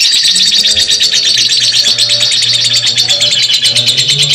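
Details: Lovebird long ngekek chatter, simulation recording for training: a dense, piercing, fast-pulsed trill carries on without break, while faint low hums and soft tones sit underneath.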